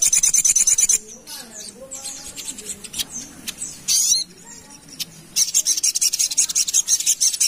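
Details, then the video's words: Ruby-cheeked sunbird lure song: rapid, repeated high, thin chirps open and close the recording, with a stretch of human speech in between. "Pancingan Sogon Paling Mantap and Ampuh | Burung Sogok Ontong Gacor Nembak"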